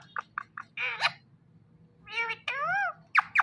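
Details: A pet Indian ringneck parrot gives a few sharp clicks, then harmonic, voice-like phrases with rising and falling pitch, saying "mithu mithu", ending in two short high squawks.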